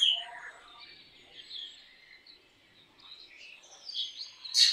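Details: Black drongo singing: thin, high chattering and scratchy notes blurring into one another, with quieter gaps and a sharp burst at the end, over faint outdoor background noise.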